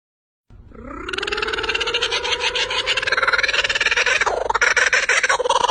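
A kookaburra starts with a low, rising chuckle, then breaks into a rapid, rollicking cackle of harsh hoots that grows louder toward the end.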